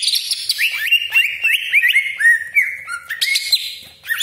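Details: Greater green leafbird in full 'tembakan' song with rough 'besetan' and long 'crecetan' chatter, meant to provoke rival leafbirds: a continuous loud stream of rising whistled slurs, buzzy trills and quick chips with barely a pause.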